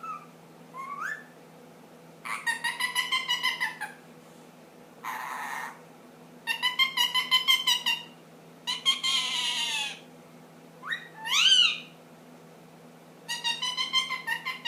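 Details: Ten-month-old pet ring-necked parakeet making funny noises indoors: loud, rasping, buzzy bursts about a second long, separated by short pauses, some with a quick upward sweep.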